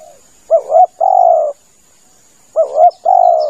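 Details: Spotted dove lure call, used to attract birds while waiting in a hide: two cooing phrases about two seconds apart, each a short doubled note followed by a longer sustained coo, over a faint steady high whine.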